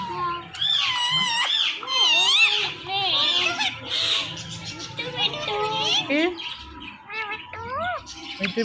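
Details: Talking pet Indian ringneck parakeets in conversation, saying Mittu; continuous chatter of looping, speech-like harmonic notes with rasping squawks, easing into a few separate rising calls near the end.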